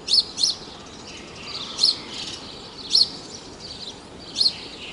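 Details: Sharp, shrill single chirps from a house sparrow (Passer domesticus) at Praia de Pipa, Tibau do Sul, Rio Grande do Norte, Brazil, spaced about one to one and a half seconds apart, with quieter twittering between and light background hiss.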